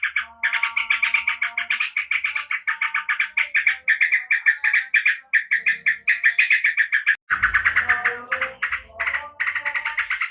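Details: Yellow-vented bulbul, found wild in Java, singing a rapid chattering run of bright notes that breaks at about seven seconds into a rougher burst with low noise, then resumes its quick rolling phrases.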